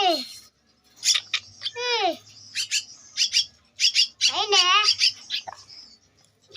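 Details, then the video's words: Two-week-old Javan myna chick giving harsh, wavering squawks with bending harmonics, mixed with short buzzy chirps in quick bursts, some calls falling steeply in pitch, with brief pauses between bursts in an indoor setting. "Anakan Burung Jalak Kebo-_Umur 2 minggu"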